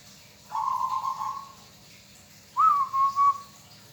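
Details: Local zebra dove kept by a hobbyist, singing two mellow, low whistled coos: a smooth drawn-out note, then after a pause a sharper rising note broken into three quick pulses.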